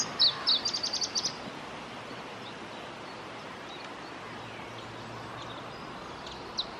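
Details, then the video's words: Singing male Iberian Chiffchaff recorded at Testelt, Belgium, on 7 May 2017: a short burst of high, sharp notes running into a quick ticking series, then a long quiet stretch with faint notes near the end. "Singing male Iberian Chiffchaff"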